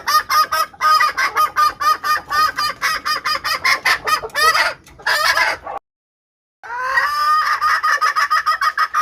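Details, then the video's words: Decoy calling of a female red junglefowl meant to attract wild males; rapid hoarse clucks run in a long series, break off into a brief silence, then resume at the same quick pace. "BUNYI AYAM HUTAN BETINA / SUARA PIKAT AYAM BETINA UNTUK PANCINGAN PIKAT AYAM HUTAN JANTAN"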